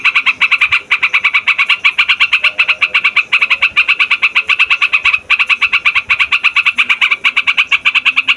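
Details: Trucukan in long rolling song, played to lure wild trucukan and to train young birds of both sexes: fast, steady harsh chatter of rapid repeated notes, nearly three per second, in long unbroken runs.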